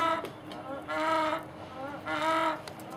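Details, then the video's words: Hen making a strange noise of unknown cause: two drawn-out, nasal, moaning calls about a second apart, each harmonic-rich and steady, over low background hiss. "Chicken making WEIRD Sound"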